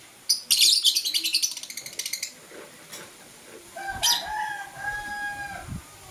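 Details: Blue and green lovebirds chirping in the morning: a rapid burst of harsh, high chirps for about two seconds, then a squeaky, drawn-out tonal call with quieter chirps behind it.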